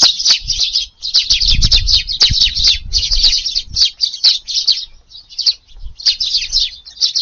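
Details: Several Eurasian tree sparrows chirp while feeding in a garden one windy July 18 evening; clipped, bright chirps come in quick bunches separated by brief gaps, over a soft low rumble around the second mark.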